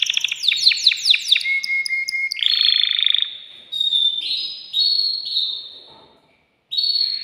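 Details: Male canary, excited in its cage and urging a female to mate, opens with a series of fast descending sweeps. Held buzzy rolls follow, broken into short phrases by pauses, with a silent gap before a final phrase.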